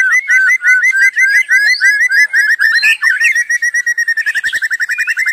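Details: White-rumped shama in unbroken song: a fast run of repeated upslurred whistles, a brief harsh flourish, then an accelerating rattle of short clipped notes.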